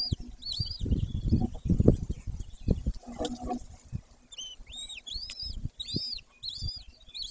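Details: Golden eagle at a nest in the Carpathian mountains of Bucovina, Romania, filmed in May with a female and male present; sharp high arched call notes repeat in short series, over low thumping and handling noises near the nest.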